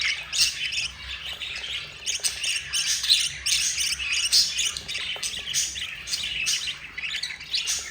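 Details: Budgerigar babies, four of them, beg while their yellow mother feeds them: a dense run of scratchy, high chirps and squawks pulsing almost without pause.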